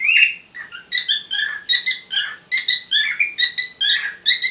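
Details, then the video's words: Amorous parrots give a string of short, evenly spaced squeaky chirps, roughly twice per second, some rising and some falling, with a harsher opening squawk. "Любовь попугаев"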